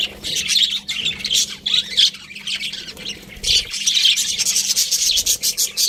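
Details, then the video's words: Several budgerigars chirping together in a dense, continuous chatter of buzzy, scratchy notes and short squawks, high-pitched and overlapping, with a faint steady low hum underneath. "Cute Budgies Chirping Sounds"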